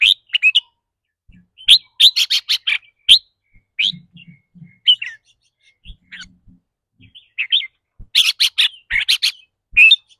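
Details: Red-whiskered bulbul kept caged, delivering the fast ‘rik’ trill that varies with its mood each day. Two dense runs of rapid, buzzy repeated notes stand out among scattered chirps, with soft low thumps in between.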